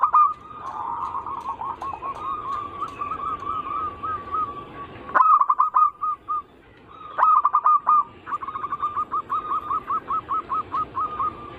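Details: Zebra dove anggungan used as a lure: rolling warbled coos, then loud stuttering bursts in separate groups, ending with a long even string of quick repeated notes.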